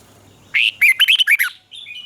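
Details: Red-whiskered bulbul, caged, Thailand, southern master-pattern song meant to stimulate birds and teach young: a single rich, bubbling phrase of quick slurred whistles, trailing into soft chirps.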